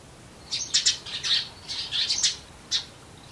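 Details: Eurasian tree sparrows near human homes, part of a year-long record through the seasons; a tight cluster of rasping, overlapping chirps in the first two seconds, then one last sharp chirp after a brief pause.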